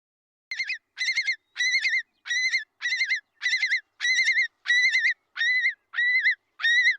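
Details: Alarm call of a single nesting Long-billed Curlew, used against predators near the nest in farm fields: a run of loud, ringing, slightly wavering whistled notes, each about half a second long, nearly twice a second.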